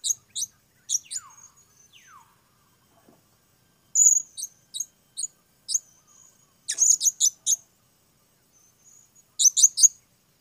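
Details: Blue-crowned hanging parrot producing scattered high, thin chips and clusters of rapid piercing squeaks, some notes sliding downward, in irregular bursts every second or two with short quiet gaps.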